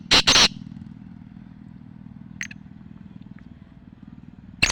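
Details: Black francolin (Francolinus francolinus), song.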